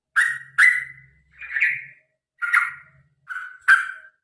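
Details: Sooty-headed bulbul giving a long fighting song to make birds sing: a series of rich whistled phrases, some rising and some falling, with brief gaps, plus a faint low hum underneath.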